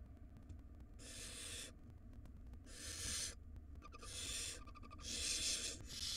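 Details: Wild barn owl nestlings begging while the mother feeds them in a nest box; four loud rasping hissed screeches, growing stronger, roughly every 1.3 seconds, over low hum.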